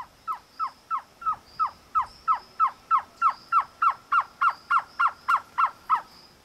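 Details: In the Atlantic Forest of Santa Catarina, Brazil, on a sunny day, a Surucua Trogon in a tree overhead gives about nineteen soft, hollow, downslurred cow notes, about three per second, over faint steady insect buzz.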